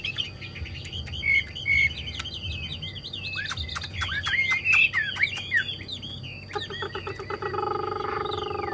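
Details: Pet Chinese hwamei pouring out varied song: long whistled notes and rapid warbling slurs building to a dense, loud passage, then a burst of clipped notes as a lower buzzy hum comes in at the end.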